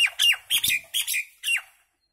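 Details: Common myna producing a string of harsh, grating squawks and downslurred whistles, six notes in under two seconds, loud and close with a clean quiet finish.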